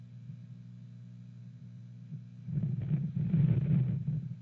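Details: A steady low hum runs throughout, then rustling, wind-like noise rises sharply for the last two seconds, with no animal call heard.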